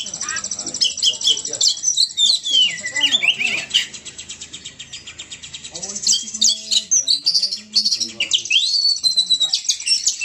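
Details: Oriental magpie-robin (kacer) singing intensely, rapid scratchy chatter and swooping whistles packed together, a faint low murmur beneath, the song dipping briefly mid-way before surging again.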